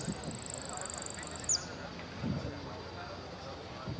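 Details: A yellow saffron finch in a singing competition on 8 March 2014 gives a very high, rapid buzzing trill for about a second and a half, ending in a quick down-slurred note, then faint murmuring.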